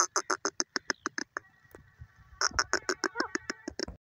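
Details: Grey francolin, known locally as desi teetar: fast, harsh chattering pulses in two bursts, separated by a short pause that carries a faint steady tone and low murmur.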